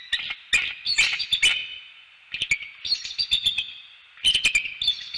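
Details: Wild bald eagle pair at a nest in northeast Florida, calling while mating: high, thin chittering and squeaky piping notes in rapid bursts, pausing briefly, with clicks and knocks from the nest.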